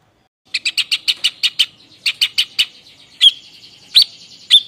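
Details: White-breasted babbler (tepus dada putih), an Indonesian endemic of Java, in harsh 'nembak' style. A burst of about twelve rapid, rough chattering notes, then three sharp, separated whistled shots.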